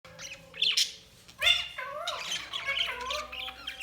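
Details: Budgerigars chirping: a busy run of short warbling, harmonic chirps and squawks sliding between low and high pitch, with overlapping birds chattering through most of the recording.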